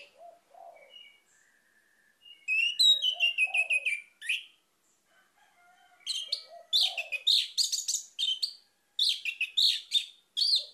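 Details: Orange-headed thrush singing a lure song meant to set a quiet bird off: soft low notes and a thin whistle, then rapid, rich sequences of high chirps and slurred whistles in two long bursts.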